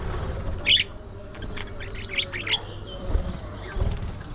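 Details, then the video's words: Pet budgerigar giving a few short, sharp high chirps in brief bursts, two or three close together, over a steady low rumbling background hum with faint rustling. "Budgie Moments: Gossip"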